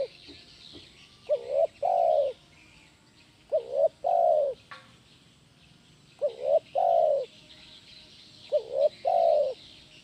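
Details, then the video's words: Spotted dove (tekukur) singing in the kuk 1 gacor style as bird-training audio. Four even phrases of a stuttered two-note start and a full rounded coo, about every two and a half seconds, with soft twittering behind. "SUARA BURUNG TEKUKUR KUK 1 GACOR"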